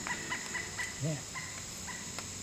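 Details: Pileated Woodpecker, called the "ginseng bird" by some ginseng hunters, in old-growth Appalachian forest, giving loud, evenly spaced notes about four per second over steady insect hum and a brief low voice-like sound.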